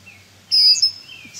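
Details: Red-winged blackbird, female, in a yard near its nest, diving at a person and a cat: a single loud, thin, high whistled note, briefly held then slurring, lasting about half a second, with faint background hum.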